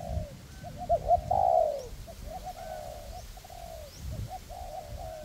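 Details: Two cooperating spotted dove decoys, a perch bird and a ground bird, call in forest to draw in wild doves for trapping. A loud stuttered coo phrase is followed by softer repeated cooing phrases.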